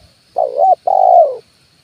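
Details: Single spotted dove coo from a "kuk 1" decoy recording meant to lure wild birds to branches and ground: a short wavering hoot, a brief gap, then a longer smooth falling note, with a thin high insect hum.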